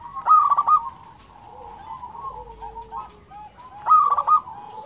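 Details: Local zebra dove in full, frequent song: two loud bursts of quick stuttering coos with softer, lower sliding coos and continuous murmuring between them.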